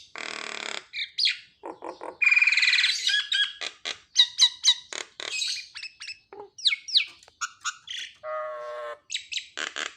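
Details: Nias hill myna singing, used to prompt silent mynas to sing: a varied medley of harsh broadband squawks, nasal buzzy notes, sharp whistles and descending slurs in quick succession, with a low harmonic croak near the end.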